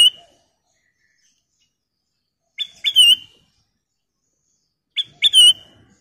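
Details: Black-crested bulbul lure call to spur other birds to sing: a crisp whistled note pair and a long slurred whistle, heard three times about every two and a half seconds in quiet surroundings.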